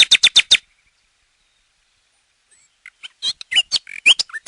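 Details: Nightingale song: five loud, rapid chipping notes, a pause of over two seconds, then a varied, jumbled phrase of whistled and scratchy notes.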